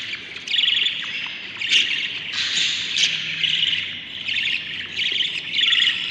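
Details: Seven baby Budgerigars calling in the nest on day 38 of breeding; a chorus of harsh rasping squawks in uneven bursts, some brief and clipped, others drawn out over a second.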